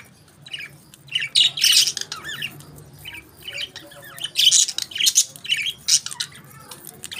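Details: Budgerigars at their favourite food chatter in loud squawky bursts and chirps, separated by short pauses, with warbling scratchy phrases overlapping.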